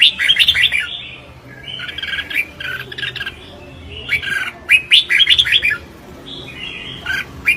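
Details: Competitive singing by a Red-whiskered bulbul: loud clusters of chirpy, warbled whistles in irregular bursts separated by brief pauses, ending with a few softer phrases.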